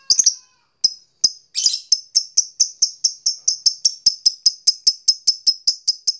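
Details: Lovebird giving sharp, high ticking notes, used as a lure to set caged lovebirds calling. After a brief noisy burst, the clicks repeat evenly, about three per second.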